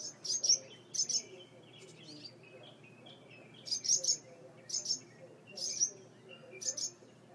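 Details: Porch-nesting birds with two young in a mud nest, protesting an opened front door: paired sharp, high chirps repeated roughly every second in irregular groups, faint lower chatter beneath.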